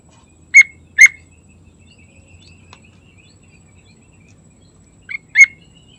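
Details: Morning song of a sooty-headed bulbul, short rich chirping notes given in pairs, two at the start and another pair about four seconds later, over a quiet background.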